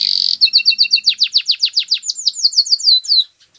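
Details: Canary singing to stimulate a silent canary: a brief buzzy note, then quick repeated sharp descending whistles, accelerating into a high trill before stopping.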